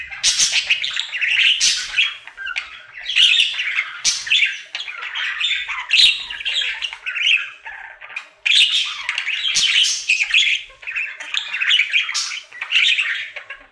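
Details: Male pet budgerigar singing as part of his daily routine: a continuous chattering warble of scratchy chirps, clicks and buzzy squawks in bursts of one to two seconds, with sharp clicking notes between phrases.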